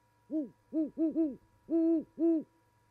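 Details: Two great horned owls, a mated pair at an osprey nest in Charlo, Montana, in January mating season, hoot to each other in a duet: one hoot, a quick stammered triplet, then two longer drawn-out hoots, over a faint steady electrical tone.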